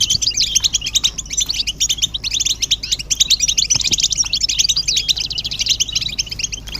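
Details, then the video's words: European goldfinch chorus for stimulating males to sing: a dense stream of sharp, twittering chirps and rattling trills, pulsing in loudness, with scattered light taps behind. "بتبتة الحسون تحفيز الحسون على التغريد والهيجان علاج صمت الحسون goldfinch stimulation"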